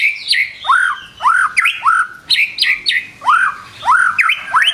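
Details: White-rumped shama morning lure song meant to get birds singing fast: loud, clear upslurred whistles swooping from low to high, repeated about twice a second, with sharp higher notes between them.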